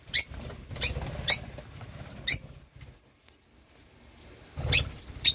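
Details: Rosy-faced lovebird (Agapornis roseicollis) family, parents with four young aged 8 weeks, 2024: harsh, shrill calls and thin high tweets, in bursts with a quiet pause midway, plus scratching and rustling.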